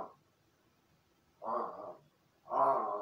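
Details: Pet crow in its room, practising calls and imitating after solitary play: two harsh, raspy caws about a second apart, each roughly half a second long, indoors with little background noise.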